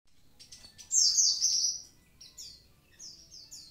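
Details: Javan pied starling (konin) singing actively: a loud, harsh, downward-slurred whistle lasting about a second, then a series of shorter high slurred notes repeated in quick succession, over a quiet hum.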